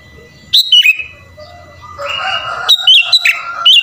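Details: Sooty-headed bulbul in energetic, mimicry-filled song used to draw out other bulbuls. A quick trio of clear whistles comes first, a buzzy, rough stretch follows, then a run of rapid, sharp, warbling whistled notes.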